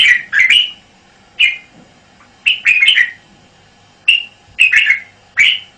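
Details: Singing red-whiskered bulbul in the 'bao' style, from a Thai VCD: lively cheerful phrases of two to four rapid whistled notes, repeated about every second, clear and close.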